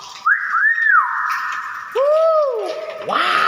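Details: Common hill myna in full voice, natural calls: a bright whistled upswing and arch, a held tone, then a pair of lower falling slurs and a harsher note at the close.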